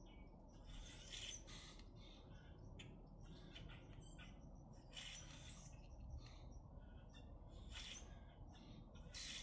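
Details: Grackles in Minnesota give harsh, squeaky, grating calls in irregular bursts, several birds overlapping, over a steady low rumble of wind or traffic.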